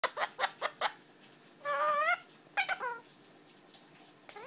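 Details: Pet Indian ringneck parakeet, 11 months old, indoors, imitating speech and singing. Opens with a run of quick clicks, then a warbling, voice-like phrase, a shorter wavering note, and a rising sound at the end.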